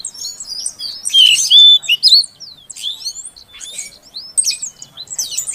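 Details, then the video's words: Female Oriental magpie-robin calling to coax a non-singing male: a loud burst of harsh, high sweeping notes and whistles, then scattered quieter chirps and twitters. "Suara Kacer Betina Untuk Pancingan Kacer Jantan Yang Macet Bunyi Agar Gacor"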